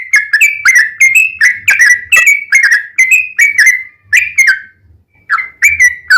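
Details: Quick, jerky series of slurred whistled notes from a yellow-vented bulbul used as a singing lure, bouncing up and down in pitch, with a brief pause before the last few notes.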